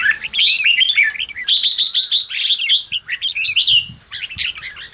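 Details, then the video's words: Fired-up red-whiskered bulbul chattering: rich rapid phrases of bright whistles with fast repeated clicks, almost continuous for four seconds, then a short quieter tail. "chào mào ché kích bổi căng lửa"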